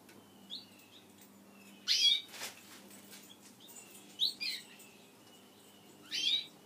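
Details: Pet Gouldian finches calling while eating a favourite food near their keeper: three short, bright chirps spaced about two seconds apart, with faint thin whistled lines between them and a low steady hum behind.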